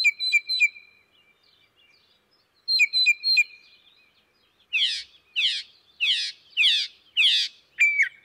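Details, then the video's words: Northern Mockingbird mixing imitations of other birds' songs with distinctive phrases of its own: two bursts of sharp stacked chirps separated by a pause, then a run of six buzzy, rasping downward sweeps and a final clear note. "Let's listen to a mockingbird singing a variety of other birds' songs."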